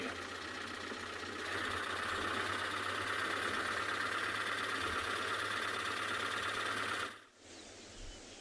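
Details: Steady mechanical drone like an idling vehicle engine, with a constant hum and a bright band of rattling noise that cuts off abruptly near the seventh second, leaving quieter background hiss.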